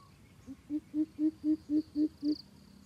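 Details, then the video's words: Coucal calling with a run of about eight deep, resonant hoots spaced evenly, the first notes softer and the rest strong, while a steady high-pitched insect hum runs behind. "Bìm bịp thiêm ku dụ bổi"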